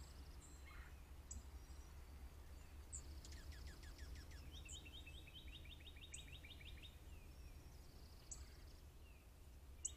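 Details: Juncos on a deck, captured by a trail camera on 18 March 2023: a quiet, fast, dry trill of evenly repeated high notes lasting about two seconds, with scattered sharp chips and a low, steady rumble underneath.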